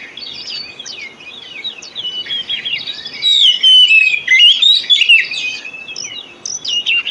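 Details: White-rumped shama song used as a lure to get other birds singing; high whistled, warbling phrases that swell in the middle, with sweeping slurred notes and scattered chirps over faint hiss.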